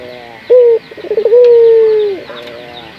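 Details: Local puter dove used as a training lure for other doves: a short firm note, a series of quick rolling pulses, then one long steady coo that falls away at its end.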